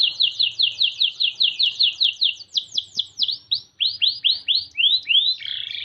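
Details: White Norwich canary singing a steady run of curved, falling whistled notes, about two and a half per second, then switching to slower upswept chirps and a brief buzzy flourish at the end.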